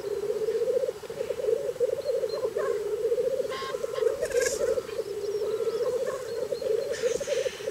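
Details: Black grouse (Lyrurus tetrix) in Scotland on a very cold morning give a steady, low, bubbling cooing chorus that rolls on without pause, broken by a few harsh, sneezing hisses.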